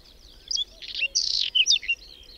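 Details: Whinchat singing during a sudden May snowstorm with wind and cold, on the outskirts of Domzheritsy in Berezinsky Biosphere Reserve where dozens of pairs nest; a short burst of high scratchy chirps and twittered notes over a low wind rumble.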